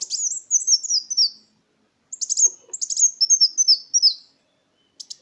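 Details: Kolibri wulung sunbird song as a lure: rapid, very high, thin notes in rolling descending runs, two long phrases, then a brief chip.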